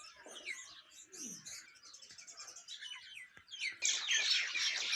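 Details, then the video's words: Mixed morning bird chorus in India said to include singing mynas: dense high chirps and whistled notes, a few lower downslurred calls, swelling into a loud bright burst of overlapping chatter near the end. "singing myna indian birds morning birds sounds"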